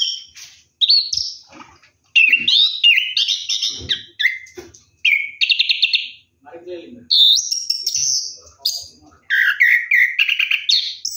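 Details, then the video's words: Night-time bathing orange-headed thrush in ngeroll song: bursts of mixed whistles, buzzy trills and mimic-like chatter, separated by brief pauses, with occasional soft splashing clicks. "KICAU ANIS KEMBANG NGEROLL MANDI MALAM"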